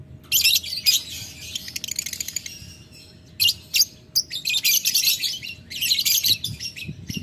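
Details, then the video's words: Lovebird in ngetik ngekek style, calling to a rival. It starts with scratchy high chatter, goes quiet for a moment, then resumes with a few sharp ticks before long, buzzing, rapid chattering runs. "Lovebird Memanggil Lawan Ngetik Ngekek - Tidak Lama Labet Auto Nyaut Ngetik Ngekek Panjang"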